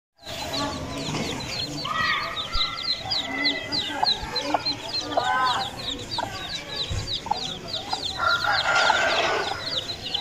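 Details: Aseel chicken chicks peeping constantly in high, short, rapidly repeated notes from many birds at once, with a few lower adult clucks and scattered background noise mixed in.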